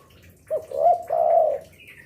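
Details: Spotted dove singing as a lure for other doves; one short phrase of a brief coo, a wavering coo and a long, smooth drawn-out coo, with a faint high chirp at the end.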